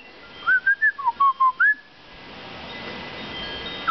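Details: Back-yard butcherbird singing a short fluted phrase of about eight clear whistled notes, rising then dipping, over in under two seconds, followed by quiet hiss.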